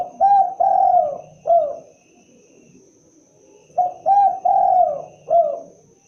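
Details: Spotted dove giving its cooing call: two phrases of four low hooting coos, a short note, a double note, a long drawn falling coo, then a clipped final coo, separated by a pause.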